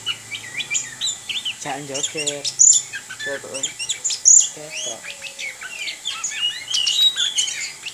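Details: Orange-headed thrush singing a continuous stream of high chirps and slurred whistles, while a lower, harmonic chattering sound breaks in several times midway.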